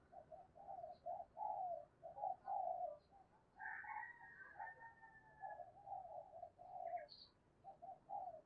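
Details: Spotted dove used as a decoy to draw in new wild birds, giving repeated low hollow coos in a steady stream over a hissy background, with a brief higher whistled note and faint chirps.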